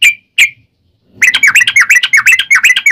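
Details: Yellow-vented bulbul fighting-style rapid song, a lure to make other bulbuls answer; two isolated whistles, a short silence, then a dense burst of fast, buzzy, up-and-down whistled notes.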